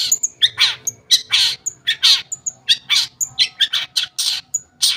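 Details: Long-tailed shrike song meant to make silent shrikes sing along: loud harsh squawking notes alternating with thin high whistled pips, about three or four notes each second.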